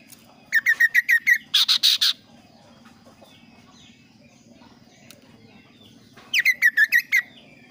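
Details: Kaso kaso bird with a varied, clear, lively song: two bursts of five to six quick, sharp chirps near the same pitch, with a short buzzy burst between them, then a pause before the chirps return.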